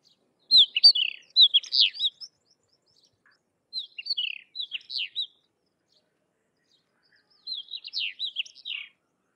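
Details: Sykes's lark song made of three scratchy, chattering phrases of rapid high chirps and slurred whistles, each lasting about a second and a half, with quiet gaps between.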